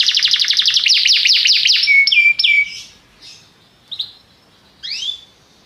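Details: Belgian canary giving its popular song, played to warm up other canaries: a quick rattling trill, a few flat whistles, then scattered short chirps with quiet gaps.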